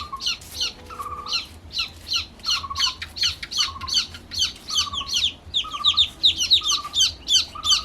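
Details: Newly hatched baby chicks chirping constantly: shrill, high peeps tumbling over each other several times a second, mixed with steady lower, level piping notes, indoors with little other sound.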